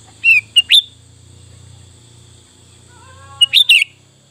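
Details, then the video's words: Sooty-headed bulbul (kutilang) in full song, giving quick clusters of clear, slurred whistles at the start and again near the end, over a steady low electrical hum. "Burung Kutilang Fulll isian"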